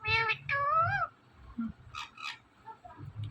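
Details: Indian ringneck parrot mimicking a cat with two drawn-out harmonic meows, the second rising then falling, followed by a few quiet clipped speech-like syllables.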